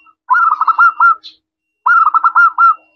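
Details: Local zebra dove, a lively singer with a clear 'crystal' voice, used as a lure to make other doves answer; two phrases of rapid rolling coos, each a quick trilled burst of about five notes, separated by a short pause.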